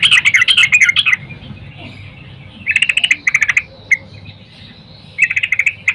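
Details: A female yellow-vented bulbul calls a male at dawn, the recording meant to lure males into singing; dense rapid chattering opens, then short pulsed bursts recur at intervals with a lone chip between them.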